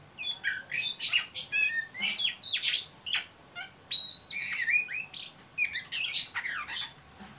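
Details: Varied ngeriwik song from an Oriental magpie-robin, used to stimulate young birds to sing, combining grating rasps, a level sustained whistle and slurred whistled notes in a busy, continuous sequence.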